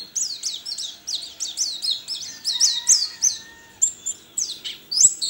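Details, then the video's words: Caged contest white-eye from Sambas, West Kalimantan, sings steady rhythmic phrases of high, downward-sweeping chirps roughly every third of a second, then brief pauses and sharper bright notes. "LOMBA PLECI ONLINE 9 - Aksi Pleci KERAMAT"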